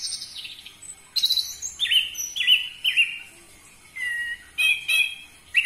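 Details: Orange-headed thrush song used as a lure for captive birds, loud and varied: high twittering at first, then a series of repeated downslurred whistles at a lower pitch, followed by more slurred notes.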